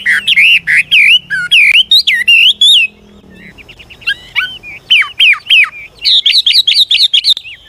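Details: Old wild Chinese hwamei singing with continual voice changes to prompt young birds into song: rapid runs of loud slurred whistles, a brief quieter pause with low rumble, then bright repeated rising notes.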